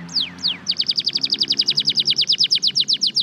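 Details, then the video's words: Red factor canary singing powerfully: two slow whistled downslurs, then a fast, even tour of sharp descending notes repeated about eight times a second, clear and loud. "Listen to this Powerful Red factor canary singing"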